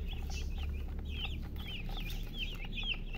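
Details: Chicks chirping: a cluster of high, quick peeping notes, many short rising-falling chirps overlapping, with a steady low rumble underneath.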